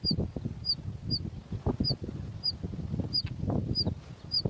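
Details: Two hungry bush lark chicks in the nest give short, high, thin chirps about twice a second, over low rustling and fluttering noise.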